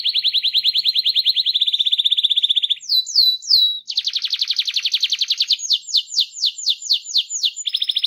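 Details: Canary with a rolling song used to get other canaries singing: rapid buzzy trills, brief swooping notes, another long fast roll, then a run of slower descending slurred notes and a final trill.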